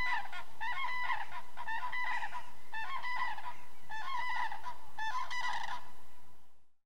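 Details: Common crane (Grus grus), group calls.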